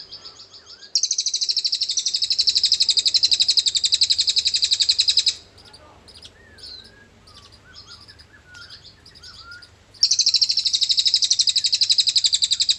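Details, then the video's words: Cililin song used as a tutor recording to lure magpie robins: two long bursts of very high, rapid, sizzling trills, separated by a quieter passage of scattered thin chips and soft slurred whistles. "Buat membantu memancing semua burung murai bisa ada isian cililin"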